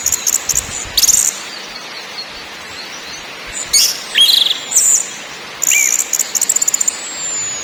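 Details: Anis merah, the orange-headed thrush, in ngakrak, ngeplong and nyiul song styles: separate short bursts of high rattling chatter and brief whistled slurs, with quiet gaps of one to two seconds.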